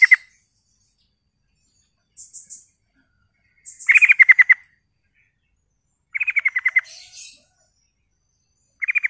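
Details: Sooty-headed bulbul song played as a lure to excite other bulbuls: rapid rattling phrases of six to nine clipped notes, repeated every two to three seconds, with soft high chirps in the pauses and a quiet background.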